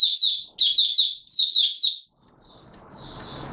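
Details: Oriental white-eye in 'buka sing' song, recorded 24 March 2022: three quick, high, tumbling twittered phrases within two seconds, then quieter thin notes over low background hiss.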